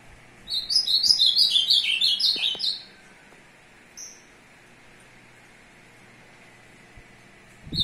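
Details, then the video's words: Ultramarine grosbeak male courting a female, 2 June 2022: a quick, loud warbled phrase of slurred descending notes lasting over two seconds, then quiet with a single faint chirp and a few soft knocks. "azulão cheriff aprontando fêmea"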